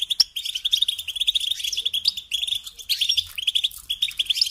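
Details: European goldfinch song of bright, jangling twitters and sharp chirps delivered in quick succession, forming a busy, continuous melodic chatter.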